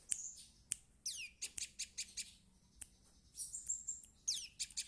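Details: A juvenile prinia practising its song gives sharp high chirps, several fast descending sweeps and a thin sustained whistle, delivered in loose, irregular bursts against a faint low hum.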